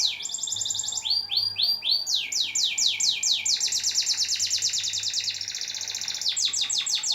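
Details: Canary (kenari paut) song used as a master recording to get birds singing often: loud, high, rapid strings of repeated downsweeping notes, each run of trills switching to a new note type every second or so, with a faint low hum behind.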